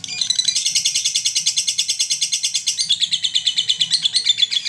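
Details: Shrill, quickly pulsed chirps from a lovebird in mentil style, played to provoke other lovebirds; Garut, Indonesia. The bright stream continues nearly five seconds, thinning slightly toward the end.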